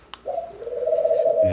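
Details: Household pet birds cooing indoors in the background: a single drawn-out, steady, low hum-like coo lasting over a second, fairly loud, in an otherwise quiet room.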